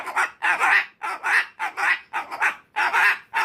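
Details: Umbrella cockatoo; screams; tantrum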